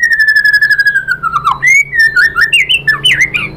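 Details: White-rumped shama song used to provoke other shamas. A long, slightly falling whistled note bends down, then breaks into a lively string of short rising and falling whistles.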